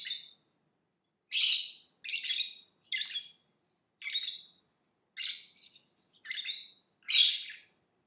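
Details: Lovebird calling with loud, rasping high chirps, about eight in eight seconds, each short and harsh with clean silent gaps between them.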